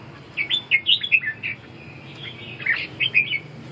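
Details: Red-whiskered bulbul song: a lively string of clear, warbling whistled notes, bouncing up and down in pitch, in two phrases with a short gap between them, against a steady low hum.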